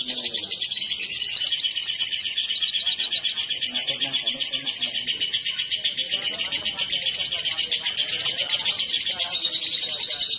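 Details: Male and female lovebird brought together chatter nonstop in high, rasping bursts, with soft lower murmurs in the background.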